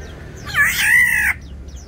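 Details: Aviary black-naped orioles fighting to hold or take territory; one loud, grating, nasal squawk held for just under a second, rising slightly, then cut off abruptly.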